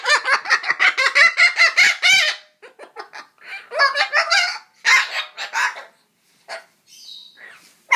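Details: Cockatoo grumbling while trying to chase off a mosquito indoors: a rapid series of harsh, clucking, harmonic notes, about two per second, that loosen into scattered grunts and a thin high squeak near the end.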